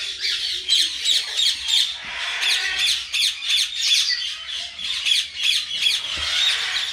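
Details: A tame pet common myna gives a quick run of harsh, grating squawks and chattering notes, about three per second, with no other sounds.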